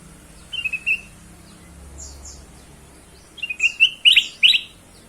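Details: Ruby-throated bulbul singing, a lure recording meant to get other birds singing: a brief whistled phrase, a pause, then a burst of quick rising whistled notes and high chips.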